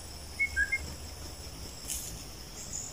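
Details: Wild bulbul, lured with a decoy bird during the breeding season near dusk, gives three short clear whistled notes in quick succession, the middle one lower, over a steady high insect hum.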